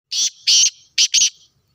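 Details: Black francolin (kala teetar) calling in Sindh, Pakistan: a harsh, grating phrase of four buzzy notes, two separate then a quick pair, high-pitched and rasping, in otherwise quiet surroundings.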